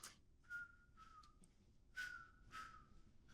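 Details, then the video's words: Inca Dove call, rendered as "no hope", from Chihuahuan and Sonoran desert habitats: paired flat, mellow two-note coos repeated about every one and a half seconds, with clicks at each phrase start. "When you hear that, you know there's an Inca dove around."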